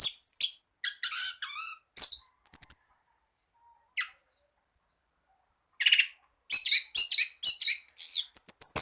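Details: Orange-headed thrush song used as a tutor recording for birds reluctant to sing: bursts of varied, high, quick chirping and whistled phrases, some with sliding notes, broken by short pauses and one sustained thin whistle.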